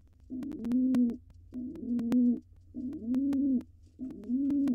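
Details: Courting coos from a wild male pigeon in a nest box, with the female dancing before egg laying. Four evenly spaced, deep, rolling coos with pauses between, a few clicks and a constant low hum.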